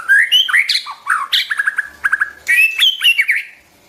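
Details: White-rumped shama singing, used to train the voices of young birds. It gives a rich, varied run of loud whistles, slurred upward notes and rapid repeated chips, switching phrases quickly and without a break.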